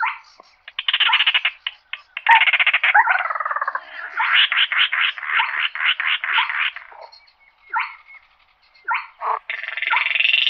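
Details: Dense, almost continuous harsh stuttering rattles and grating pulses from a slaty-breasted rail calling the flock, easing into scattered short notes before another rattle starts near the end.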